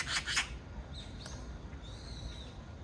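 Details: An Oriental magpie (Pica serica) in Korea gives two quick, harsh rasping chatters, followed by faint thin whistles from other birds in the background.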